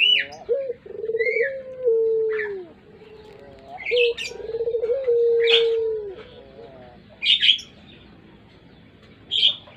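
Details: Barbary dove (puter) with a pelung voice, suitable as a lure: two long cooing phrases, each a rolling stutter into a drawn, downward-sliding note, separated by small birds' high chirps that continue afterward.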